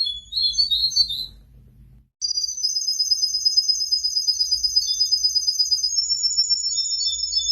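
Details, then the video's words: Tame canary sings a short high warble, falls silent briefly, then launches a sustained rapid trill that stays level before rising slightly at the end. "Suara Burung Kenari Gacor Jinak"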